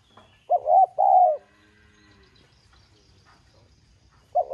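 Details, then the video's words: Spotted dove calling in the 'giọng son' style to spur domestic doves to coo; one full phrase of two quick notes and a long smooth coo, then a quiet gap before the next phrase begins. "Tiếng Cu Gáy GỌI THÚC Giọng SON"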